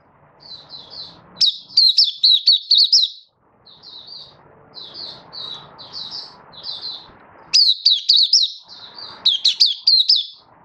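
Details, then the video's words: Malaysian white-eye, a caged songbird in Singapore on a warm sunny day, 20 March 2023, sings loud runs of rapid, high, warbling whistled notes, separated by quieter, softer chattering phrases; faint low rumble underneath. "Malaysian Mata Puteh Happy Buka Sing"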